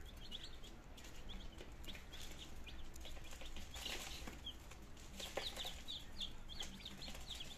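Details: Nineteen healthy chicken chicks on their second day, starting to try eating and drinking, in Germany on 17 September 2022; a flock chorus of short high peeps, overlapping continuously, over low hum and soft tapping noises.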